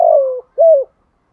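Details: Spotted dove decoy in Sấm Thổ style calling wild doves. The end of a phrase: a long grainy coo gliding down, a pause, then one short clear coo.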